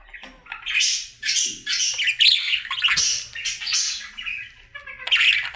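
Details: Pet male budgie in his daily singing routine: bright chirps and buzzy chattering in quick bursts about every half second, with a faint low hum in the room.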